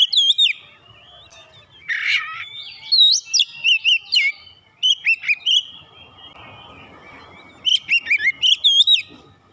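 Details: Magpie-robin (kacer) provoked into agitated singing, a varied run of loud clear whistles, upward slurs and short chirps in bursts separated by quieter gaps, with a faint hiss in the background.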